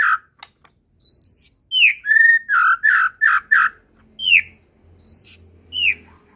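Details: White-rumped shama of the Medan type singing actively with a full set of fill phrases: loud clear whistles, some sliding downward, then a rapid run of strong notes repeated about every third of a second.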